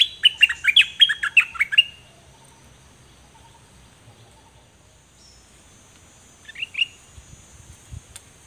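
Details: Songbird known in Thai as nok dok taeng, one of two birds recorded in 2020 as a model for teaching young birds to sing: a fast burst of sharp, chirpy, descending notes, a long silence, then a short second phrase.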